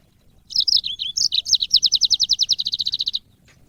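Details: Training audio of a caged yellow-fronted canary: a few varied high chirps and slurred whistles lead into a long, steady, rapid trill of identical notes lasting nearly two seconds.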